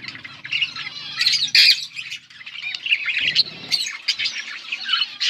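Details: Budgerigars chirping and singing on August 19, 2024: a flock of parakeets giving harsh squawky chatter and bright chirps, with a loud burst near the middle, over a quiet low hum.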